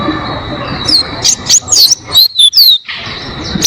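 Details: Oriental white-eye song used as a tutor recording for cage birds: a few high, thin whistled slurs and chirps, then a quick run of sharp descending notes, over a steady background hiss.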